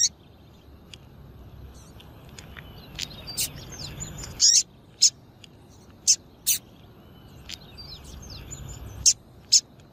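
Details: Repeated brief, high, sharp chirps from a female double-collared seedeater, a call meant to excite males for singing tournaments, arriving irregularly over ten seconds, some doubled, with soft chattering of other small birds behind.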